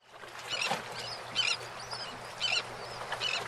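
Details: Several birds call in a morning chorus, with short high chirps and arched whistles every second or so over a steady low hum.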